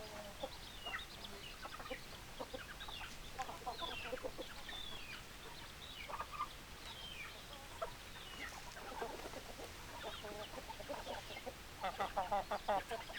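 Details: Hens clucking in a busy flock: many short overlapping clucks and squawks repeated irregularly, with a rougher burst of calls near the end and steady background hiss.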